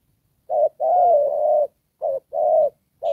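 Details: Trapping decoy spotted dove in the Đồng Pha style gives two low coo phrases, each a short hollow note followed by a long drawn coo, with a further note starting at the end.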